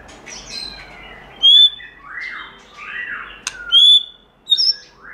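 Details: Sparse white-rumped shama forest-style song, giọng rừng: separate loud high whistled notes and soft downward-curving slurs, spaced by short pauses.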